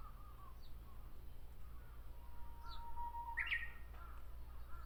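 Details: In a tree in Miyakonojo, Miyazaki Prefecture, a Japanese bush warbler holds a long, level whistle for about a second, then breaks into a bright, quick, rising flourish; soft distant caws sound early on.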